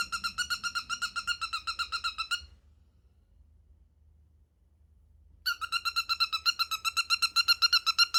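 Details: Pet cockatiel indoors, producing a squeaky, hinge-like pulsed call: a steady run of rapid creaks, a silent gap of about three seconds, then another brisk series of the same squeaks.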